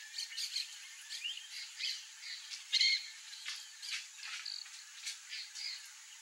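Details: Peach-fronted parakeets, wild birds, calling with rough, buzzy screeches spaced about half a second apart, one louder, sharper shriek near the middle standing out above a constant high hiss.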